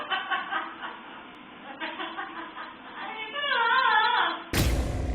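A parrot imitates laughter: bursts of short, chuckling 'ha-ha' pulses, then a longer wavering, rising-and-falling laugh, ending in a sudden loud rustle.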